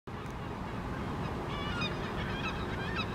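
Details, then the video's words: Flock of eight Lesser Black-backed Gulls flying over Helsinki, Finland, in August, giving short repeated nasal calls in quick succession over a steady roar of wind or traffic. "Lesser Black-backed Gulls flying, vocalizing"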